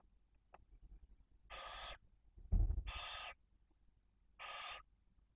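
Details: Female barn owl with chicks one and four days old at a nest in Cabañeros National Park, Spain. Three harsh, hissing screeches are spaced well apart, and a heavy low bump sounds just before the second.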